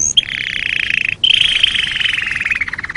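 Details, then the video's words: Canary song from a master training recording for songbirds: a long, fast trilled phrase around mid-high pitch, briefly broken by a short gap, after an opening high note. "Masteran Suara Kenari"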